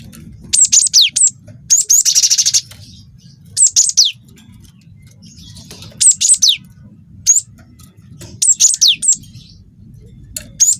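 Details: Cinereous tit, young wingko bird, singing a lure song: repeated groups of three or four shrill, steeply falling whistles, one group merging into a harsh rattling trill, phrases recurring every two seconds amid low hum.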